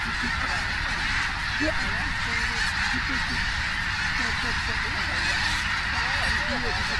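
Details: Massed snow geese, tens of thousands landing in Richmond, British Columbia, Canada, October 21, 2005; a steady hissing roar of the flock, with individual honks less distinct and mostly blurred into the background din.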